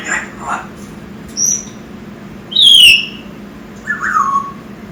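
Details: Young male African grey parrot, six months old, making a string of varied sounds indoors: soft squeaks, then a loud high whistle sliding downward and a lower falling whistle.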